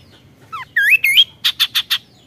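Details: Kaso-kaso bird giving 'tembakan' bursts: slurred whistled notes that dip and rise, followed by four quick, harsh, evenly spaced chips.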